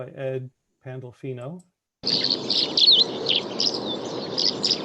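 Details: A man speaks briefly, then Tree Swallows twitter in high, thin chirps and short squeaky notes over a steady background hiss.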